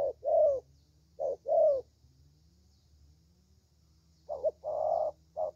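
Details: Young spotted dove kept as a lure bird for its fine voice, giving a few mellow paired coos, then a two-second gap before more cooing, over low background hum.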